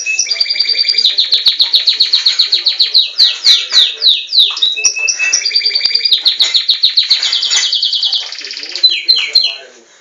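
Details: Belgian canary, a captive bird, delivering long fast trills of downslurred notes at many per second, broken by short steady whistles, ending in a few scattered notes.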